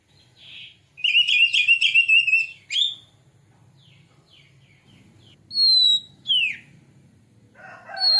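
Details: White-rumped shama lure for bringing on song and tail display: a rapid series of rich whistled notes, then varied sweeping whistles, a long pure high note, a steep downslurred note, and a final buzzy phrase.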